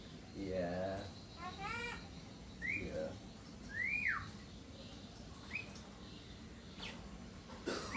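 Javan myna singing a varied string of harsh, nasal chatter mixed with clear arched and rising whistles, about one phrase a second, over a steady low background hum.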